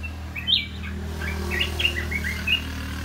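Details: Caged red-whiskered bulbul singing a run of short, clear whistled and chirped notes rising and falling, several quick phrases in close succession over a steady low hum.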